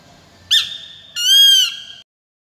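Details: Peregrine falcon uttering a short abrupt note followed by a drawn-out harsh wail, strongly harmonic and slightly falling at the end, against near silence.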